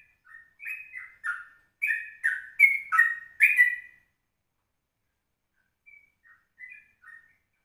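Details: Dawn recording at 04:30 of a yellow-vented bulbul, meant as a lure for other birds: a burst of chattering, bubbling notes building louder for four seconds, then a few faint, distant twitters.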